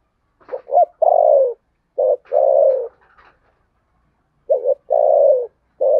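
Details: Spotted dove in a cooing contest, Sấm Thổ voice: repeated phrases of short stuttered notes leading into a long sliding coo, three phrases within six seconds, no other sounds.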